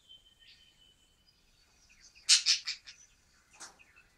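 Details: First-day chatter from a male budgerigar just added to a flock, 14 Dec 2013: a thin steady whistle, then a loud burst of four scratchy rapid notes and a softer harsh chirp.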